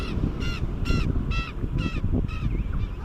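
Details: Penguin braying in short harsh harmonic bursts repeated roughly twice a second, each note steady and nasal, with strong low wind noise underneath.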